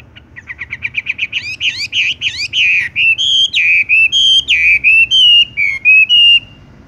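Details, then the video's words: Horsfield's bush lark song in the rolling style: a fast accelerating series of short chirps, then sweeping buzzy notes and clear looping whistles, repeated about once per second. "wambie tung roll gantung langsung ngerol"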